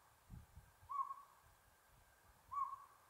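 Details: Northern pygmy owl at Buckhorn Campground, San Gabriel Mountains, Los Angeles, 7 April 2022, giving two brief hollow toots about 1.6 seconds apart, with faint low rumbling noise underneath.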